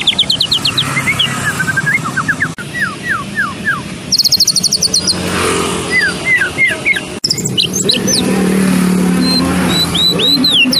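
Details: White-rumped shama of the Medan type, recorded as tutoring for competition birds: varied whistled notes and fast high trills with sliding phrases, over constant traffic noise and a passing engine.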